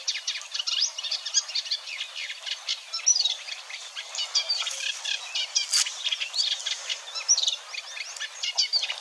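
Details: Eurasian Reed Warbler singing at Wetering West, Overijssel, early May 2022, burbling contentedly and imitating a little. A loud, jerky stream of grating chirrs and clicks in rapid repeated phrases, with occasional thin whistled inserts.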